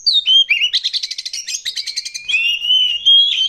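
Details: Oriental magpie-robin song used as a lure to prompt birds to sing: a falling whistle, then a fast rattling trill of repeated notes, ending in long sweet whistled phrases.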